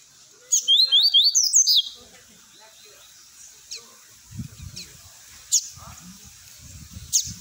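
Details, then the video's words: Coleiro (double-collared seedeater) tui tui song for young-bird training: a rapid string of about seven rising whistled notes, followed by scattered sharp high chips and low rustling thumps. "COLEIRO GOLAO TUI TUI PRA ENCARTE"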